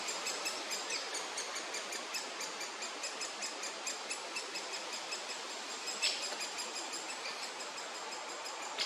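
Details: Great spotted woodpecker chicks in the nest in woods during the breeding season, being fed by both parents, keep up a dense, high, rapid chittering of short notes several times a second with a few louder squeaks.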